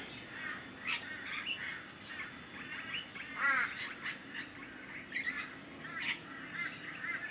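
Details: Several Rainbow Lorikeets at a bird sanctuary, wrestling on the ground in a dominance display to sort out pecking order, trade harsh, grating overlapping screeches in quick bursts, a constant raucous chatter.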